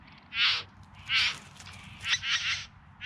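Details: Bowerbirds during courtship display, filmed in September 2020 in the Yarra Valley near Melbourne: three harsh, buzzy, rasping bursts spaced about a second apart, the last one doubled, over a quiet low rumble.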